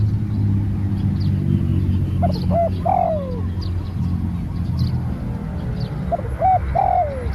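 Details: Spotted dove in training, a new bird, giving two coo phrases several seconds apart, each a couple of short notes followed by a long downward-sliding coo, over a deep humming background and faint high bird chirps.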